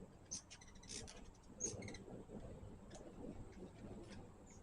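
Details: Hummingbirds at a backyard feeder: short, very high, sharp chip notes in scattered bursts, with a steady thin high tone and soft low rumbling background noise throughout.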